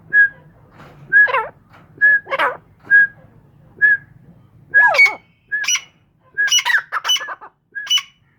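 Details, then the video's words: Pet grey francolins give a repeated chorus of bright whistled notes about once a second, joined by harsher, broader bursts that grow denser toward the end. "Mairay Teetar Ki Awaz"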